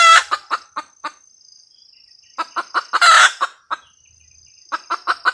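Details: Hen red junglefowl cackles: a burst of clucks, a quiet gap, then more clucks building to a loud grating squawk, followed by further short clucks. A faint steady high whine runs throughout.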